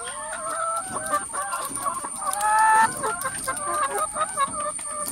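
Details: A noisy flock of hens in a coop gives overlapping nasal clucks and one louder, stretched squawk near the middle. A constant thin electrical whine sits in the background.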